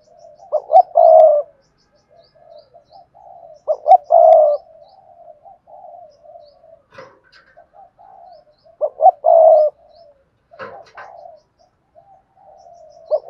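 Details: Spotted dove singing in the Cườm Sa style with a hạp bổi voice: three loud phrases of two quick notes and a long, rich coo, a few seconds apart, with soft murmured coos and a couple of clicks between.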